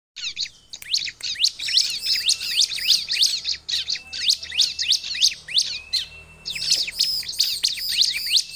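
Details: Bar-winged prinia song used to lure wild prinias: dense, rapid high chirps and sharp downslurred notes, about three per second, with short bright trills and brief gaps.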